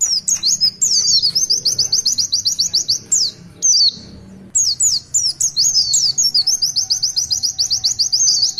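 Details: Pleci, the Oriental white-eye, delivering its long tulitwitwit song: high, quick runs of repeated chirping notes and sharp downward-slurred whistles, with a brief soft break around the fourth second before the rapid trilling resumes.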